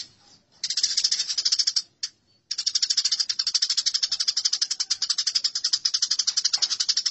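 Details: Masteran of house sparrows fighting: an almost unbroken run of rapid, rattling chirps lasting several seconds, interrupted only by one short break near the start.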